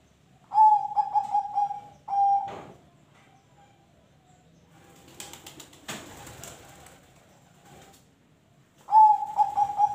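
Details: Zebra dove (perkutut) of ring tulus type singing to encourage other birds; short bubbling coo phrases at the start and end, with a burst of rustling or clattering noise in the middle.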